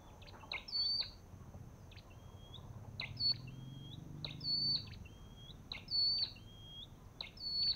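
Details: Olive-backed tailorbird: regular clicking notes each followed by a rising whistle that curls upward, about forty phrases a minute, faint low hum underneath.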